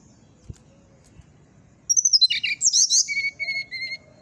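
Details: In the morning, a brown-chested jungle flycatcher starts after a faint background, giving a two-second phrase of dense high twittering notes, then a row of short, evenly repeated whistles.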